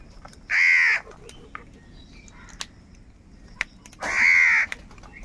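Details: Crow calling angrily amid a fight for food: two loud, rasping caws about three and a half seconds apart, with soft clicks and distant chirps in the quiet gap.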